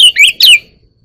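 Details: Oriental magpie-robin aged one year giving two quick, bright whistled notes, the second sliding downward, then silence.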